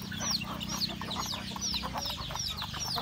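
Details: Domestic rural chickens eating breakfast, roosters and hens together; a few clear, sharply falling high peeps over soft chatter, with a steady low mechanical hum.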